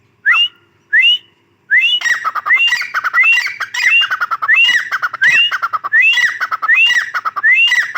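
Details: Female grey francolin calls: a few clear upswept whistles, then a continuous busy chorus of rapid rising whistled notes and harsher squawky elements running to the end.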